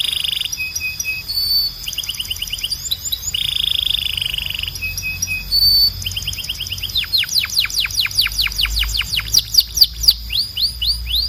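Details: Belgian canary song for training birds, a varied string of high trills, steady whistled notes and rapid falling sweeps repeated in quick series, with a faint high hum underneath.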